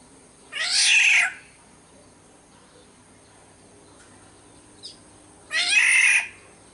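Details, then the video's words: Two coarse, nasal, cat-like squawks from a Sumbawa black-naped oriole, about five seconds apart, with a faint brief sound between them and otherwise quiet. "suara burung kepodang SUMBAWA"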